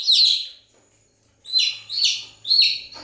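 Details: Chirping chicken chicks: a loud shrill peep, a half-second hush, then three more piercing descending peeps in quick succession.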